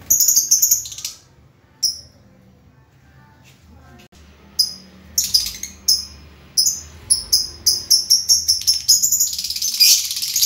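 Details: Lovebird with a few high chirps, a quiet stretch, then a quickening series of sharp, repeated chirps that builds into a dense chatter toward the end.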